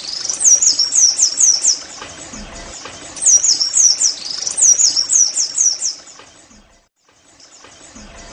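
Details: Oriental white-eye song for prompting caged birds to sing: two bursts of high, sharp, slurred twitters, each lasting about a second and a half, separated by pauses, ending in near silence.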